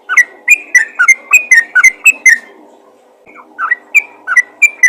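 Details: Yellow-vented bulbul calling busily to other bulbuls: a quick run of bright, slurred whistled notes about four per second, a pause near three seconds, then the lively whistling resumes.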